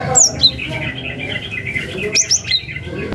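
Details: Cinereous tit, natural sound of a bird calling a rival, used to lure young tits: sharp high whistles sliding down, a buzzy churring band beneath, then a second burst of falling whistled notes, with faint background hum.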